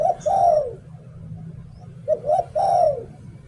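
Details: A captive spotted dove decoy repeating its "liu tan" song twice. Each phrase has short coo notes leading into a long, rolling, falling coo, with a quiet gap between phrases.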